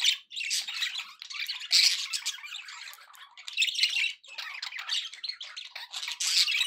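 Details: Budgerigars, described as happy, chattering continuously: dense buzzy warbles and scratchy squawks between 1 and 8k, in bursts separated by brief pauses.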